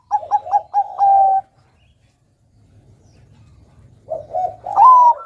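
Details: Bangkok perkutut zebra dove singing actively to lure young birds into song; five quick bouncing coos running into a held coo, silence, then a new phrase climbing to a bright sliding note.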